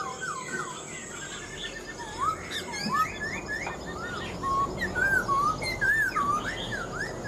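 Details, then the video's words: Wild-caught older Black-throated laughingthrush, caged, delivers a long sequence of rich looping whistles, each rising then falling, spaced irregularly about three per second, with softer whistles behind. "Khướu bạc má mộc dở chim già rừng, hót tốt giọng hay"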